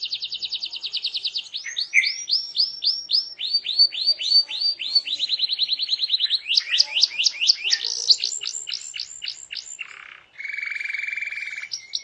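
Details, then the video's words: Loud, vigorous canary song, played to make other canaries answer and sing: long runs of rapid repeated chirps and sweeping whistled notes changing pattern every second or two, ending in a low buzzy trill. "Apapun Burung Kenari nya, BAKAL RESPON IKUT BUNYI dengar Suara Kenari GACOR INI"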